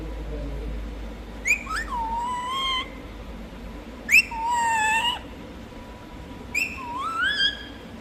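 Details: Pet parrot producing three harmonic whistled utterances roughly two to three seconds apart. Each begins with an abrupt rising onset and then settles into a wavering, sustained tone, with a faint hum in the background.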